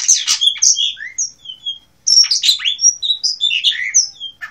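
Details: Blue rock thrush in Asia singing: two bursts of quick, varied phrases mixing clear fluty whistles with scratchy, chattering notes, split by a brief pause.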